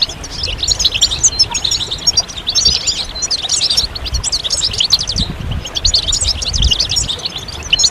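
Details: Several European goldfinches twittering together, a chorus meant to stimulate males to sing and come out of moult; dense high tinkling trills and chirps overlap continuously, with a low rumbling hum underneath.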